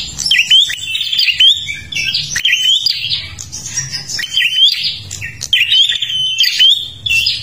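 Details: Lure-bird prinia from Kalimantan in vigorous song: high, buzzy chirp sequences with looping whistled notes, phrases about a second long separated by short breaks, and low rumbling noise faintly beneath.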